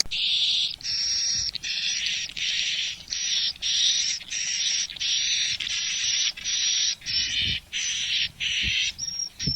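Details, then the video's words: Swiftlet calls, an original recording from Malaysia used as a test sound for a swiftlet house: bright, buzzy chattering bursts, each about half a second long, repeated steadily with short gaps and no other clear sounds. "Sound Test of Swiftlet សម្លេងដើមរបស់សត្វត្រចៀកកាំ"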